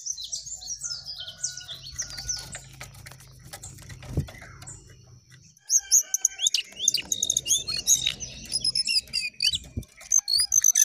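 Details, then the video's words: Jongkangan singing actively with rising and falling phrases: high, varied chirps and whistled notes, quieter in the first half, then loud rapid bursts of sharp tweets and thin whistles in the second half, with a low hum behind. "Jongkangan Gacor Naik Turun Oke"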